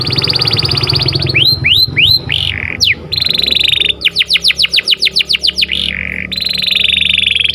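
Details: Canary singing sweetly in the morning: a bright trill, several rising curved whistles, a burst of fast sweeping notes and a final buzzy roll, over noticeable low background noise.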